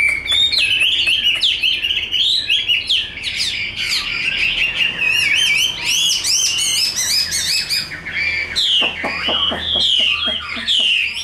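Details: Fighting-display song of a tame, large Chinese hwamei: a dense, fast medley of looping whistles and sharp repeated notes, briefly broken by a harsher burst near the end before the melodious phrases return.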